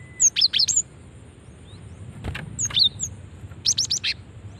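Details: Female cinereous tit calling, used as a lure to draw responses from other birds of its kind: three clusters of sharp, high chirps, each a quick run of three to five notes, separated by quiet gaps, with faint background hiss.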